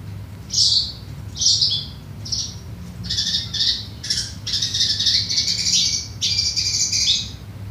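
Lesser Shortwing singing high, scratchy chattering phrases, short bursts about once a second running into a longer twittering stretch, over a low steady hum.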